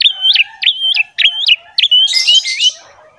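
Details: Javan pied myna song to start other mynas singing: four repeated whistled phrases, each a level note with a sharp upward flick, followed by a noisy burst and a rising whistle.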